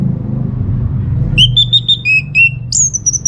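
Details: Orange-headed thrush song used as a lure for other birds to answer: a run of clear whistled notes at steady pitch, then a higher sweeping phrase, over a low rumble.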